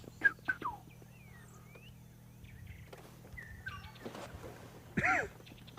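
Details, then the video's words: An oriole perched out in the open gives liquid, slurred chortling whistles, some rising and some falling, on an early sunny African safari morning; green wood hoopoes give a harsh cackling burst, with low vehicle engine hum. "An oriole out in the open again. You can hear the chortle of an oriole as well."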